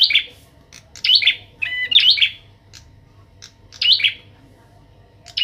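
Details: Young captive Bar-winged prinia, trained by pairing it with an established kept bird, sings gacor in sharp high chirped phrases. Bursts come about once a second, broken by short gaps and soft clicks.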